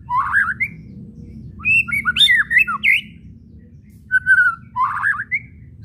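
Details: White-rumped shama song with kretekan chatter, meant to make silent shamas answer: a rising whistle, then a tight run of twisting whistled and clicking notes, then two more short whistled phrases after a gap.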